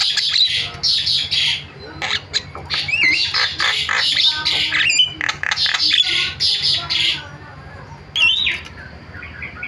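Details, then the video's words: Starling calling used to lure other starlings into calling: rapid harsh squawks and grating chatter with twisting whistled notes, fading to softer chirps at the end. "MASTERAN JALAK SUARANYA BIKIN JALAK PADA TERIAK"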